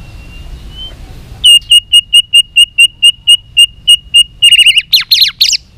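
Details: White-rumped shama trained for singing contests gives about fourteen identical short piping notes evenly repeated, each roughly a third of a second apart, before breaking into quick, twisting, varied phrases at the end.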